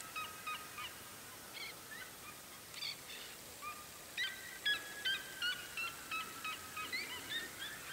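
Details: Red-legged seriema, the symbol bird of Minas Gerais state, Brazil, giving a fast series of short yelping, honk-like notes, nearly three per second, in uneven bursts with overlapping voices and a faint steady background hiss.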